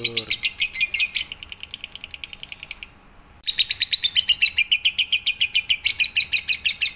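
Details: Lovebird, full pigter song, intended for night-time training of other birds. Fast, shrill chattering notes stop for about half a second of near silence, then resume louder, with whistled squeaks woven into the rapid pulses.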